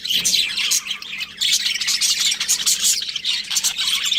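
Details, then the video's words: Budgerigars chirping: dense, continuous high twittering and warbled chatter with short squawky notes, several birds overlapping throughout, with a faint steady low hum behind. "Cute Budgies Chirping Sounds"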